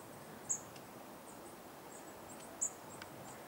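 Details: Goldcrest in Dwingelderveld, Dwingeloo, Holland, on 10 January 2016: two very high, thin, brief notes about two seconds apart, with fainter high tseeps between, over steady background hiss.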